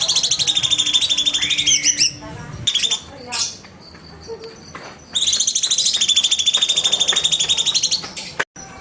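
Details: Cucak cungkok bulbul in 'nembak' (shooting) style song, used as a master recording for training birds: long runs of rapid harsh stuttering notes, a rising whistle, a break with clicks and chatter, then fast runs resume before an abrupt stop.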